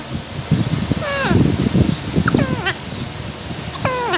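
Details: Pet parrot talking while eating, giving stepped falling squawks and a short rising note over loud crunching and rustling.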